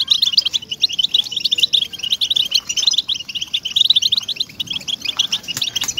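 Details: European goldfinch singing in a recording made to encourage captive birds to sing: rapid, chattering stream of high tinkling and buzzy notes, unbroken for the whole stretch, a few faint clicks near the end.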